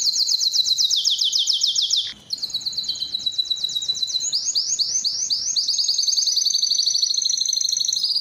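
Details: Canary song intended to attract females for mating: high rapid trills, a brief break, then varied bubbling rolls and swooping notes continuing steadily.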